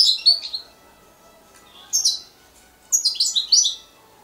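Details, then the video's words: European goldfinch fledgling calling in clear bursts of high, twittering chirps: one group at the start, a short one near two seconds, then a longer run of rapid notes, with quiet between. "فرخ حسون جميل جدا"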